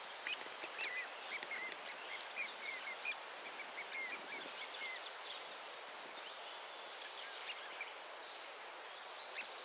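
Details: Little ringed plover at 51.912315, 20.318912 (Poland) giving a loose series of short, thin, high piping notes over about five seconds, against a steady hiss of wind and distant background noise.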